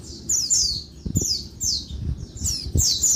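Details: Noisy daytime calls from a female Oriental white-eye to provoke males: thin, high chirps sweeping downward in small groups, interrupted by low knocking sounds.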